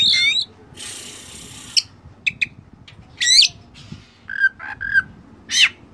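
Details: Rich Oriental magpie-robin filler song for training: warbled phrases between a harsh hissing burst, short sharp notes, and repeated clear whistled notes near the end.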